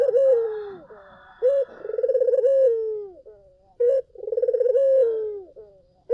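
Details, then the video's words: Lure song of a collared dove: a falling coo, then twice a short abrupt note followed by a trilled, throbbing coo that fades down in pitch, steady at about two phrases every five seconds. "SUARA BURUNG PUTER GACOR!"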